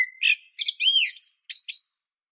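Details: Common blackbird singing on Medvednica Mountain at Sljeme, Zagreb, Croatia, recorded with a Panasonic Lumix DC-TZ90: a mellow fluted whistle and warble, then a run of thin, squeaky high twittering notes. No other sounds.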